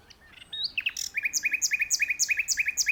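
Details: Common nightingale singing from an open perch in a tree: a few thin whistled and slurred notes, then a fast, powerful run of about twenty sharp, paired chipping notes repeated evenly, loud and clear.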